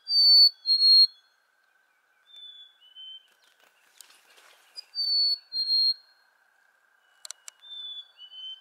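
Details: Black-capped chickadee singing its fee-bee song, known as cheeseburger or hey sweetie: loud two-note whistles, high then lower, followed by softer, distant answering two-note whistles and a few sharp clicks against a steady hum.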